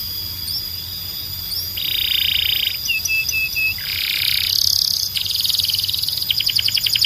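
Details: Canary singing: a buzzy trilled block around mid pitch, then short clipped whistles repeated in a row, a higher fast rattle and closing bursts of rapid pulsed notes, with a faint high whistle running underneath.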